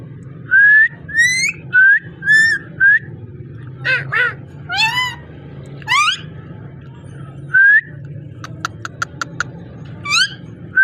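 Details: Ringneck parrot talking and calling: clear rising whistles, short up-swept notes and a quick run of sharp clicks, with pauses between sounds over a steady low hum.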